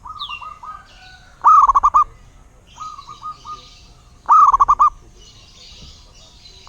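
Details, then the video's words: Local zebra dove singing: two loud bursts of five or six rapid, pulsed cooing notes, about three seconds apart, with softer, shorter coo phrases between them and a faint rustling background. "Suara Burung Perkutut LOKAL alam"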